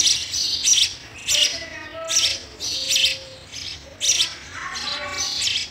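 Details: Sparrow chicks in the nest being fed, giving harsh, hissing chirp bursts about once a second, high and noisy, with a few faint thin whistled tones between them.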